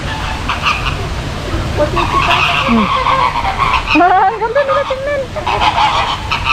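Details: Salmon-crested cockatoo at a Singapore bird park in February gives harsh, nasal, honking squawks, some rising sharply, over a busy chorus of other birds and people talking.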